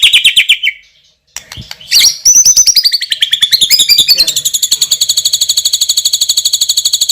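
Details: Loud-voiced champion white-rumped shama with a hot fill-in repertoire: rapid trilled notes, a brief silence, then a sweeping, wavering whistle that settles into a long, even, very fast high ticking trill.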